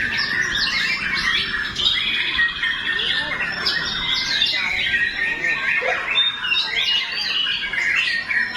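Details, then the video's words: White-rumped shama in full song: a dense, continuous stream of varied whistles, chatters and rapid trills, mostly high-pitched, with overlapping phrases and no pauses. "aksi murai batu full nyanyian"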